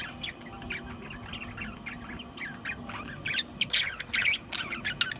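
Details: Budgerigars chattering with quick, squeaky chirps over steady low background noise. Notes come a little faster and louder toward the end.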